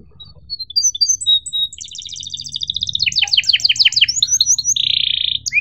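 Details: Tutor song for juvenile canaries: thin high whistles open, followed by a fast buzzy trill, a run of repeated descending chirps and a sustained harsh rasping note, over faint low background hum.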